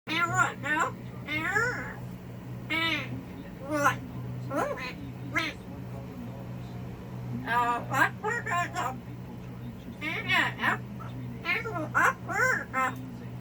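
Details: Pet yellow-naped amazon going off and complaining: loud, wavering, nasal squawks and whining cries in irregular bursts, over a constant low electrical hum.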